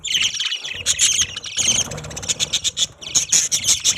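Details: Pet budgies in a group giving dense, overlapping high chirps and squeaky twitters almost continuously, with rustling underneath.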